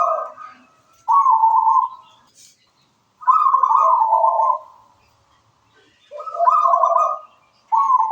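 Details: Local wild zebra dove singing actively: mellow, trilling coo phrases come roughly every three seconds. Each phrase holds a steady higher note over lower rolling tones.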